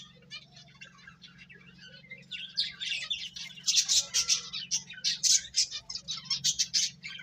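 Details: Playing and feeding finches whose quiet twitters build into louder, repeated sharp chirps, coming in quick pulses through the second half over a faint low hum.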